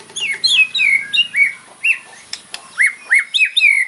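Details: White-rumped shama fighting song with loud downslurred whistles and sweeping chirps in quick uneven succession, a faint low hum in the background at first.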